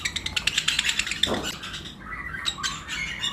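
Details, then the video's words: Lovebirds chirping in a flight cage during breeding season, pairs of various mutations with other birds nearby. Quick high chirps tumble over each other, and one dull thump sounds partway through. "Lovebirds Chirping Sound"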